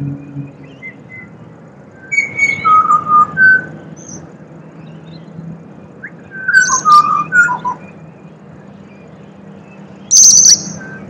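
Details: Wild pied butcherbird song from Australia, two phrases of clear mellow whistles stepping down in pitch, separated by pauses, with a sharp high chirp near the end and a constant low hum beneath.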